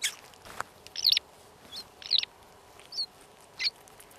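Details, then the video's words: A Eurasian skylark chick gives thin, high squeals in short bursts about once a second while a hedgehog eats it at night, with the hedgehog's soft crunching and munching sounds in between. "you can hear the chick squealing"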